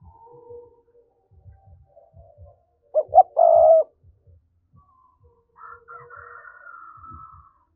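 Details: Spotted dove 'thúc' coo used to excite wild doves for trapping: two clipped notes then a held low coo, surrounded by soft low tapping and a fainter, higher drawn-out tone afterwards.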